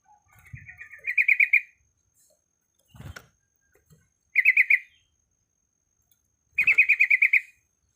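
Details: Sooty-headed bulbul female in breeding condition calling males, giving three quick rattling bursts of sharp repeated notes with silent gaps between them, plus a brief knock or tap in between.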